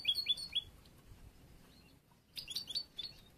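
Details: Young bruno amarillo European goldfinch from the end of this year, caged and in song training for contests; a few clear whistled chirps, a lull of about two seconds, then a tumbling run of high twitters.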